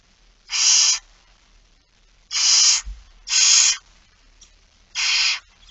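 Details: Begging barn owls at a 06:57 feeding, 13 September 2019: four harsh, breathy screeches of under a second each, spaced unevenly, with a soft knock between them.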